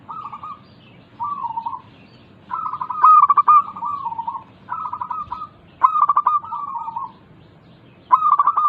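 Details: Local zebra dove song used to coax quiet doves into singing. Soft rolling coos alternate with louder stuttered phrases of clipped notes, and the phrases overlap closely at times.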